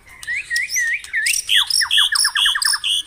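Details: Morning lure song of a white-rumped shama for caged birds: a few curling whistled notes, then a quick evenly spaced series of about nine falling chips, all loud and bright.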